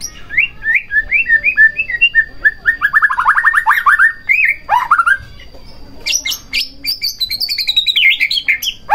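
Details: White-rumped shama song for provoking another shama to sing: a series of repeated whistled notes, then a fast buzzy trill, a pause, and higher sweeping whistles.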